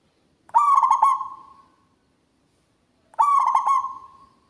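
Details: Local Javanese zebra dove (perkutut) in full voice, loud and carrying: two ringing phrases, each a quick stutter of clipped notes running into a drawn-out trailing coo, about two and a half seconds apart, in a quiet setting.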